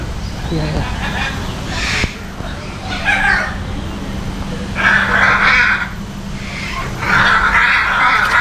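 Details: Salmon-crested cockatoo at Jurong Bird Park, Singapore, on February 14, entertaining visitors: harsh, raspy broadband screeches in four loud bursts spread over eight seconds, each lasting under a second. A steady low hum and crowd murmur fill the background.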